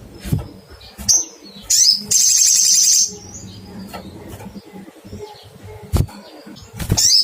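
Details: Little spiderhunter call used to seek a rival: a few thin high 'cuitt' notes, then a harsh buzzing trill of about a second, followed by quieter gaps with thumps and a final sharp chirp.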